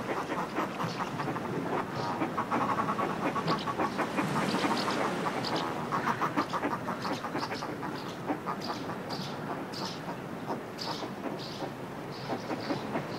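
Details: Cliff-ledge groups of northern fulmars in display: uneven, gravelly cackling runs, with thin high house martin calls scattered through and steady washing sea underneath.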